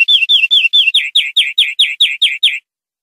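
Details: Greenfinch song for educating captive birds, recorded clean: one phrase of about thirteen slurred, downward-sliding notes repeated steadily over two and a half seconds, growing slightly fuller toward the end, in silence.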